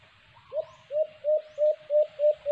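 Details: After a brief pause, a white-eared brown dove (alimokon) gives a run of six low, hollow hoots, the first slightly rising, repeated roughly every third of a second, recorded on a cage-trap hunt with soft chirping in the background.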